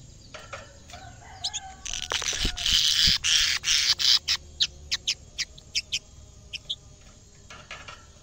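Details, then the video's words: Caged canary singing vigorously, reacting on first seeing a camera: scattered high chirps, then a loud buzzy rolling trill, then clear separate notes repeated about twice per second, fading to sparse chirps. "kenari gacor bikin geleng geleng kepala reaksi kenari saat pertama kali lihat camera dalam sangkar"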